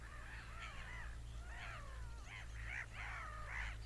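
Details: Seagulls scream in a loose series of harsh, bending cries, some long and sliding downward, others short and clustered near the end, with a low background drone.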